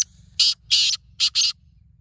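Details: A partridge (teetar), on 2 April 2024, gives four loud, harsh, grating notes in about a second, the middle two longer, then falls silent; a faint low hum runs underneath.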